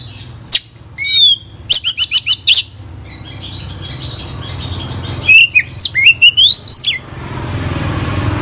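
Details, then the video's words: Oriental magpie-robin giving a lively, mimicry-rich song: bursts of rapid sharp chirps and clicks, a pause, then rising whistled phrases with buzzy edges, fading into steady low background noise. "kacer gacor full isian"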